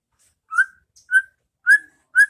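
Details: Four separate clear whistled notes of a White-rumped shama, about half a second apart, from a training recording in the 'pastol ngeplong' style for caged birds.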